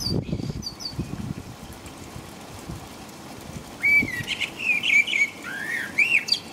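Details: In England at about 5 a.m., a blackbird sings in nighttime rain: after a quiet stretch comes a mellow, wavering whistled phrase with squeaky high notes tacked on, against a constant wash of rain.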